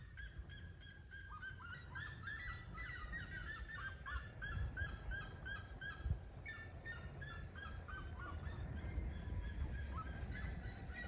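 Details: Red-legged seriemas singing: long runs of loud, yelping, honk-like notes delivered rapidly, about three per second, some phrases overlapping and stepping slightly up and down in pitch, over a steady low rumbling background noise.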